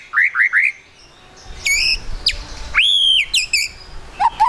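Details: White-rumped shama song as a lure to make the bird sing quickly: three quick rising chirps, then ringing high whistles and sharp downward sweeps, ending with low whistled notes.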